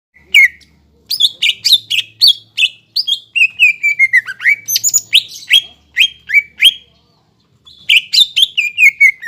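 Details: Greater green leafbird in full song, used as a lure to rouse a silent or lazy caged bird into singing: rapid sweet whistled notes, many sliding downward, in bursts with short pauses.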